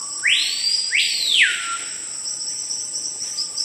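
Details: Screaming piha, known in Brazil as capitão-do-mato, a forest bird said to start calling when a large animal or person enters its territory: a soft level whistle, then two loud whistles sweeping up and falling, over a steady high insect drone.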